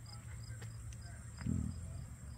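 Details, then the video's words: Emus in a zoo enclosure at Ochsner Park Zoo, Baraboo, Wisconsin, on 3 August 2023, making strange grunting noises: a single deep, low rumbling grunt lasting about a third of a second midway through, over a steady low background hum, with faint high ticks. "Grunting Emus"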